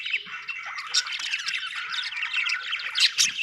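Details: Budgies keep up an unbroken stream of overlapping chirps and scratchy warbles, loudest near the end, with faint low thumps underneath.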